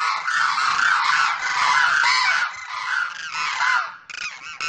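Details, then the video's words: Male demoiselle crane calling to a female, the pair apart on opposite sides: an almost unbroken stream of harsh, rattling trumpet notes, slightly dropping near the end before a final burst. "demoiselle crane sound mp3"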